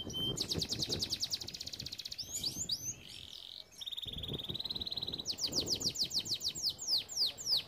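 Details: Training song of a canary, alternating rapid buzzy trills with a sustained flat whistle and downward-sweeping notes, low rumbling noise underneath.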